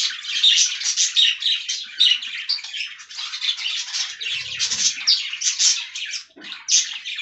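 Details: A budgerigar flock in an aviary enjoying fresh green leaves gives a continuous bright warbling chatter, quick chirps rising and falling in loudness, with a short low rustle midway.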